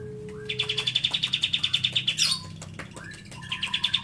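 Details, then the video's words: Lovebird with cililin song material: a fast, regular high trill of around twenty pulses lasting under two seconds, a scratchy descending note and brief pause, then the pulsed trill starts again. "Love bird isian cililin"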